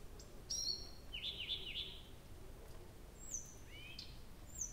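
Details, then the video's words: Nightingale at night in early June at Abramtsevo, recording begun 23:00 on 6 June 2021: a high whistle, then a short series of rapid buzzy notes and thin sliding whistles, over low background hum. "Соловей поёт всю ночь"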